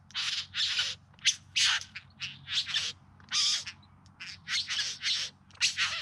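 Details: Singing bowerbird performing its courtship display in September 2020, Yarra Valley near Melbourne; a continuous series of coarse, crackling rasps and sharp squawks, irregularly spaced, some slurred into longer hissing phrases.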